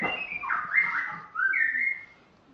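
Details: Spotted morning-thrush from Tanzania singing on its first day at its new home, with a white-rumped shama also singing: two smooth whistled phrases, the first wavering, the second rising then holding level before fading.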